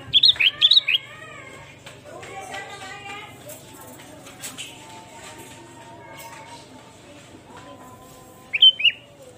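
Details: Sooty-headed bulbul, a bird-luring recording: a quick run of bright, warbled whistles opens, then soft talking-like murmur and clicks, and one more slurred whistled phrase near the end.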